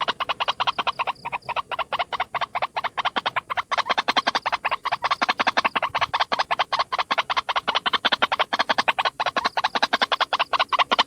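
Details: Single white-breasted waterhen lure call: a dense, rapid run of harsh croaking pulses, roughly two to three per second but overlapping and uneven, held throughout without pause.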